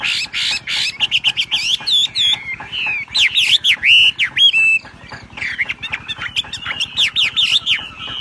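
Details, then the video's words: Ngebrem gacor singing from a wambi bird: choppy bursts of harsh chatter leading into swooping, up-and-down whistles, a short dip in intensity, then another fast whistled phrase. "BURUNG WAMBI NGEBREM GACOR."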